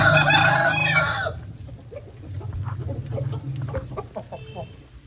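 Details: Loud, raspy crow from an Aseel chicken after rain, lasting just over a second, then quieter clucking notes repeated several times a second over a low hum.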